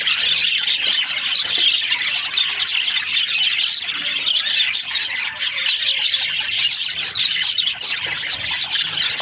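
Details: Budgerigars in breeding season: a dense, continuous flock chatter of high, buzzy chirps and short squeaky warbles, overlapping steadily without pause.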